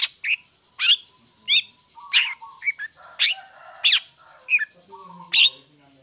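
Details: Caged long-tailed shrike, cover opened, singing as a lure for lazy or moulting shrikes: harsh rasping notes repeated roughly every half second to second, with short whistled tones between them.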